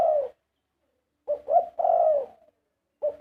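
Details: Zebra dove singing its 'karam' song phrases: a clipped soft coo, then after a pause two short notes leading into a long rolling, slightly falling coo, with another phrase starting at the end; quiet background.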